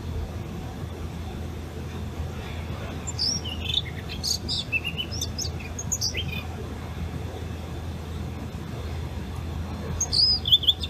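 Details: Blue rock thrush near a hot spring on 23 August 2021, giving thin, high chirps in scattered bursts over a few seconds, then a brief sharper note near the end, above a steady low hum.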